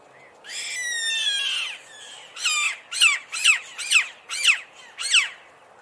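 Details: Chimango caracara screaming, in a recording comparing male and female voices and looks: a long harsh drawn-out screech with a falling tone, then six loud raspy descending screams about every half second, all on a quiet background.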